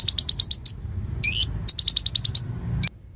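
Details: Konin singing as a training model for murai: quick runs of clipped high notes repeated about ten times a second, broken by a brief buzzy rising phrase and a final sharp note.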